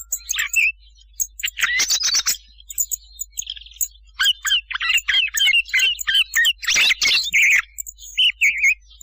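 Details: Night-time thrush hunting lure: varied high phrases of sharp chirps, buzzy trills and whistled slurs, several phrases repeated in quick succession with short gaps.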